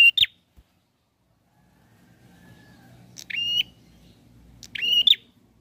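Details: Bar-winged prinia, lively and seeking an opponent, gives three short separated bursts of high sharp notes with level whistled tails, spaced about two seconds apart, over a faint low hum.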